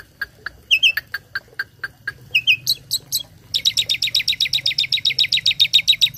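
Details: Tame Asian pied starling singing imitated fills as a tutor for other birds: evenly spaced short chips with a few higher double notes, then a fast, regular rattling trill of about five notes per second to the end.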